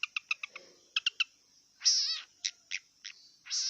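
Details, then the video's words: Song of a wild long-tailed shrike: rapid clicking chips at the start, then a harsh buzzy rasp, spaced sharp notes and a final scratchy burst, with a constant high-pitched hiss behind. "Kicau cendet liar"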